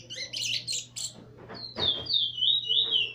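A seed-finch opens with quick scratchy chattering notes, then slides into a sweet, high whistled warble that wavers up and down. A faint low hum sits underneath.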